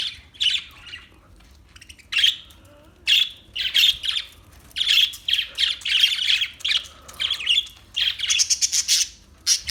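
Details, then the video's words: Parakeet giving scattered harsh squawks at first, then a denser run of buzzy chirps and rapid chatter toward the end, with short silent gaps between bursts. "Parakeet Sounds Parrot Chirping Sounds"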